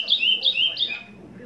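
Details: Caged chestnut-bellied seed finch (curió) singing "Selo Prata FH 30 anos" song type, 3 Feb 2016 mid-afternoon: three quick, clear whistled phrases, each sliding and warbling, then trailing into faint background noise.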